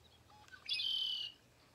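A Red-winged Blackbird gives a few soft introductory notes, then a loud, buzzy, ringing trill lasting about half a second. No other sounds stand out.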